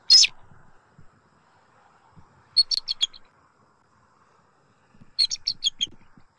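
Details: Bald eagle, a male, at his nest in Southwest Florida at night on 2 November 2024, arriving around 1:56 AM and resting in to guard it. A sharp burst is followed by two quick series of high, piping chitter notes, four to six each, in a quiet night.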